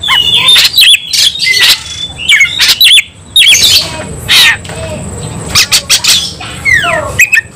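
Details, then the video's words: Oriental magpie-robin singing emotionally in fighting mode: staccato harsh bursts and brief whistles, then descending slurred notes near the end, recorded close and loud. "kacer langsung KONSLET tarung ngotot full emotional"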